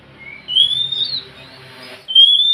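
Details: Oriental magpie-robin song meant to get a lazy bird singing: long clear whistles held and slowly rising, with a low hum underneath.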